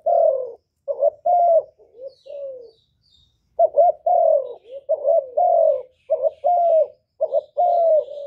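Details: Spotted dove cooing loudly, played to stimulate kept doves to sing. Low hollow coos come in short bursts with a brief pause near three seconds, then a steady run of paired, slightly falling coos. No background noise.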